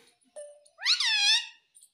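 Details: Ringneck parrot giving a short low tone, then a loud rising-and-falling nasal syllable held for about half a second, in a quiet indoor setting.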